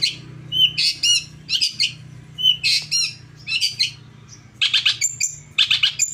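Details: Long-tailed shrike song meant to goad a caged bird into replying: harsh, buzzy, high chattering bursts in quick groups, mixed with brief clear whistled notes, above a constant low droning hum.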